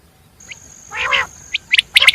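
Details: Common quail giving a soft rasping growl, then a sharp note and a quick run of crisp clicking calls, with a thin steady high tone throughout.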